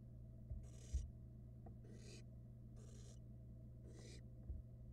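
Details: Two barn owl nestlings eat rats next to each other in a Florida nest box, 2022; four scratchy, breathy hisses about a second apart, mixed with thumps and a low steady hum.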